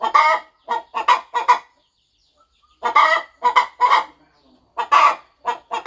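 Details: Mother hen on a farm nest, settling over her eggs before hatching, clucking softly: short harsh clucks in quick clusters of three to four, separated by pauses of about a second.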